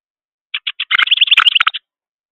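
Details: At a bird feeder, a juvenile Carolina wren gives three spaced chips that build into a fast, busy chatter of high, twittering notes, mixed with faint clicks from its excited flapping, ending after about a second.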